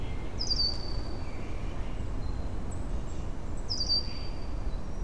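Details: Red-winged Blackbird alarm whistle, recorded 15 March 2019 at about 8:14 am: two high, thin whistles, each starting with a quick stutter then slurring slightly downward, about three seconds apart, over a steady low rumble.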